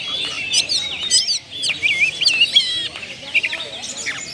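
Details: Kacer, a caged oriental magpie-robin, reeling off its imitated repertoire (isian) as a lure: loud, pure whistles that swoop up and down between crisp chip notes and fast trills, a brief dip in volume midway.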